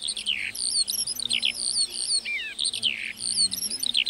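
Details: Rapid lark song from a meadow, high downslurred whistles and twittering phrases repeating in quick, varied bursts.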